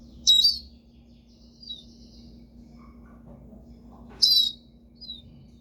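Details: Pet siskin giving two short, high, sharp chirps about four seconds apart, with faint thin notes in between and a steady low hum behind.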